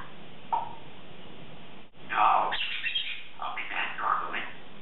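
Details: Congo African grey parrot, a 3.5-year-old female, chattering in the morning while practicing her words: short bursts of talk-like, mid-pitched vocal sounds separated by quiet pauses, over a steady low background hum.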